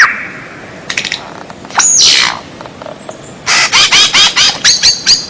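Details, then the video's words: White-rumped shama song used as masteran training material for captive birds: a high whistled note and descending sweeps, then a fast run of bright, sharply rising chirps repeated about twice per second. "MASTERAN MURAI BATU SUARA ANEH"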